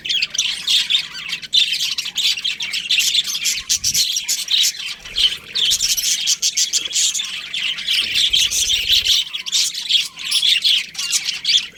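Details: Budgerigars in a colony keeping up a long, unbroken chatter of harsh chirps and squawks, a few low bumps audible beneath the chorus.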